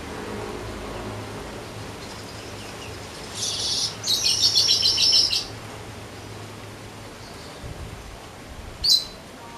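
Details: Weaver, an untrained bird just starting to sing steadily and softly: after quiet background, two dense buzzy, hissing bursts with a thin high whistled line through the second, then one short sharp high note near the end.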